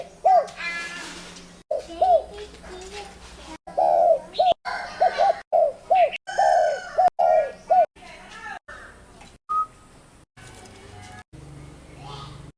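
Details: Spotted dove giving a long run of short, soft, repeated coos in choppy bursts. The notes are low and hollow and occasionally drawn out, with higher chirps from other birds mixed in and abrupt breaks throughout.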